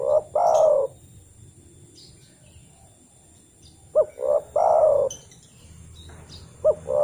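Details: Spotted dove call used as a lure to get other doves calling. In the wild it calls to other doves. Three-part cooing phrase: a short low note, a swelling second note, then a long drawn coo. Another phrase begins near the end.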